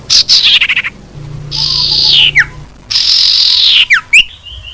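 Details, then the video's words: Common iora lure call meant to draw in wild birds: quick chattering notes, then two long harsh drawn-out notes that fall in pitch, each ending in a sharp downward flick. "suara pikat burung sirtu cipoh"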